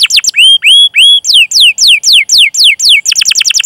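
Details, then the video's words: Canary song used as a training lure for young or silent canaries: three long rising whistles, then a series of slower steep downslurred notes, ending in a rapid chirping roll. "Masteran Suara Burung Kenari Gacor Panjang cuit cuit Ngerol untuk Pancingan Kenari!"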